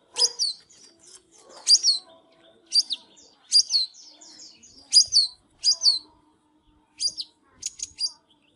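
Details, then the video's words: Oriental magpie-robin singing loud, high whistled phrases with sharp slurred notes, repeated about once a second in short bursts with brief pauses. "Chích chòe than LÊN LỬA || HÓT MÚA ĐẲNG CẤP"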